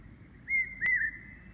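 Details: Large hawk-cuckoo calling in Bhutan in April 2016: two clear, slightly wavering whistled notes of even pitch, the second longer and dipping at its end, with a sharp click between them.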